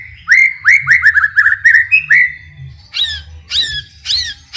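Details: White-rumped shama singing vigorously, meant to stir other shamas into replying; a quick string of rising whistled notes that climb steadily, followed by harsher, higher scratchy phrases.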